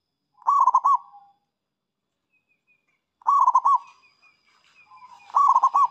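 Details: Zebra dove, a local bird in lively song used to lure rivals: three separate bursts of rapid, low, bubbling coos, each about half a second, spaced by pauses of two seconds, with faint high whistles between.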